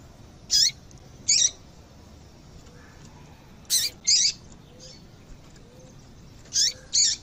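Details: Female double-collared seedeater calling, used to stimulate a male to sing: short high chirps, each a burst sweeping down from very high pitch, given singly or in quick pairs at irregular intervals over a quiet background.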